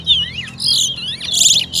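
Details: Chestnut-bellied seed finch (towa towa) in a bird singing competition, counted aloud, sings a rapid, varied warble of high, sweet whistles with sliding and buzzy notes, running without pause.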